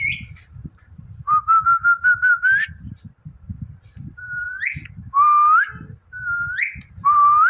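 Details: Talking Indian ringneck parrot, a pet, whistles: first a rapid pulsed trill rising at the end, then four clear whistles alternating between flat and upswept, each about a second apart, over low room noise.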